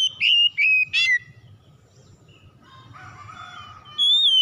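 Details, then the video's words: Oriental magpie-robin song used as a lure to get silent magpie-robins singing: three loud, clear whistled notes at the start, then a softer warbling passage, and a new bright whistle near the end, over a low steady hum. "PANCINGAN KACER MACET BUNYI CEPAT IKUT BERPERAN LANGSUNG GACOR"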